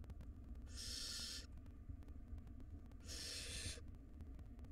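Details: Two long harsh hissing screeches from wild barn owl chicks in a nest box while the mother feeds them, separated by about two seconds, over a low humming background.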